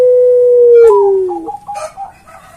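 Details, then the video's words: Puter pelung dove giving a single long, level low note that steps down and fades, followed by softer broken warbling sounds and a faint rustle. "Burung Puter Pelung Gacor Bunyi Terus"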